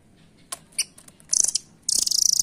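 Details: Velvet-fronted nuthatch (rambatan): a few thin clicks, then a sharp high rattle and a longer, fast, pulsing trill at the end.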